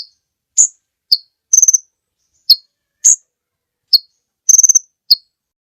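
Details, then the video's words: Sunbird known locally as kolibri ninja, recorded as a master track to teach other birds, gives piercing high chips and short slurred notes, broken by two brief rapid trills, in clean silence. "Suara Burung Kolibri Ninja Pikat gacor Durasi Panjang mantab buat masteran"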